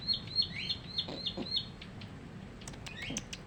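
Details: Caged Bar-winged Prinia, caught three weeks earlier, gives a quick series of thin, high, repeated chip notes and one rising slurred note, then stops, leaving clicks and knocks.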